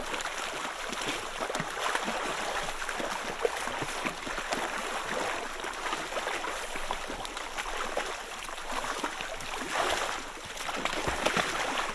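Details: Steady gurgling and sloshing water with broadband splashing noise throughout, and no animal calls heard.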